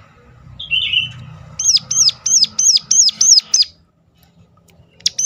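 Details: Sunda warbler uttering a sharp call used to lure others of its kind into singing: a soft lower trill, then seven quick shrill hooked notes, a silence and one more note.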